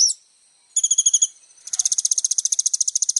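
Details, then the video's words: Little spiderhunter singing for use as tutor material: one sharp high note, a quick burst of ringing repeated notes, then a long, fast, buzzy trill of about twenty even pulses. "SUARA BURUNG KOLIBRI NINJA GACOR FULL ISIAN"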